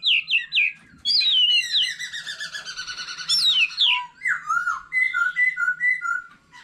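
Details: White-rumped shama, an old wild-caught bird, in competition song with varied voices beside a laughingthrush: three quick descending whistles, then a long, dense, trilling warble, then evenly spaced slurred whistled notes.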